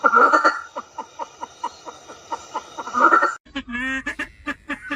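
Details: Southeast Asian pheasant calling in a rapid, regular series of short notes with louder bursts at start and end, then an abrupt change to different chattering, nasal notes over low noise.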